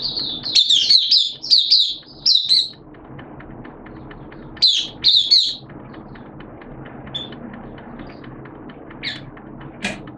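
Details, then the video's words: Oriental white-eye (Mata Puteh), caged hobby bird, 'buka sing' opening song on 11 September 2022 in wet, erratic weather: loud high twittering bursts in the first half, then mostly low background noise with a few faint distant notes. "Mata Puteh T-Rex Buka Sing"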